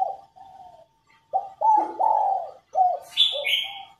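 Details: Female spotted dove cooing to spur newly caught males and cock birds into calling; a run of low, soft coos, several rolling and drawn out with short gaps between, plus a brief higher chirping from another bird near the end.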